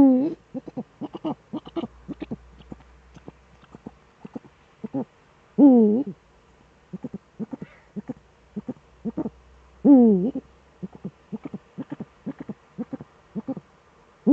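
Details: Eurasian eagle-owls duetting at the nest in the Eifel, male present, 13 December 2013, 17:25 evening. Rapid soft pulsed notes run throughout, broken by loud wavering hoots about every four seconds.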